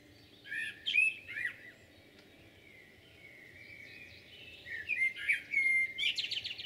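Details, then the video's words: Common blackbird song recorded in Jūrmala, 11 June 2022: two fluted, warbling phrases separated by a near-silent pause, each closing in squeaky, high twitter notes, set against faint steady ambient hiss. "Blackbird's song"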